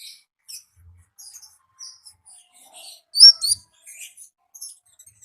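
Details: Konin singing in its wild habitat: soft, scattered high twitters and thin whistles, rising to two louder sharp chirps near the end.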